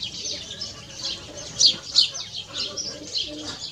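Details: Mixto, a canary crossed with a goldfinch, giving a short run of dense, high scratchy twitter with two louder sharp chirps in the middle.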